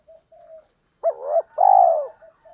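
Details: Training lure of spotted dove cooing, male and female: faint soft hoots, then one loud phrase of a short wavering note and a drawn-out, slightly falling coo, with quiet coos trailing after.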